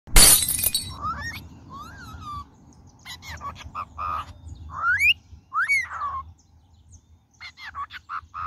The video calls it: Calopsita Falando Cantando + que Papagaio Cockatiel Singing